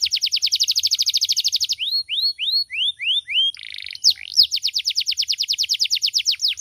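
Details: Canary song, loud, varied and sweet, from a bird used to tutor others: a fast high trill, a string of rising hooked whistles, a brief buzz, then another rapid run of sharp descending notes.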